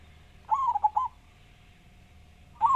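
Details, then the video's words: Actively singing local zebra dove with a big voice utters one phrase of four rolling, gentle coos, falling slightly in pitch, then starts another phrase at the end; a low steady hum runs underneath. "Perkutut Lokal Gacor Suara Besar"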